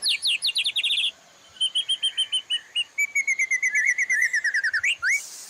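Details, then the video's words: Sharp, high chirp series from a white-rumped shama master for daily morning and evening training. Quick repeated notes come first, then an evenly paced level piping series and a fast twittering run. A loud upward whistle ends the burst. "MASTERAN MURAI BATU TERBARU 2025 🔥 | FULL ISIAN & TEMBAKAN"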